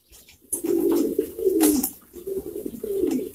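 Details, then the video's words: Pouter pigeons coo loudly and clearly in three or four drawn-out, bubbling low phrases, with little other noise. "Pouter Pigeons Lots"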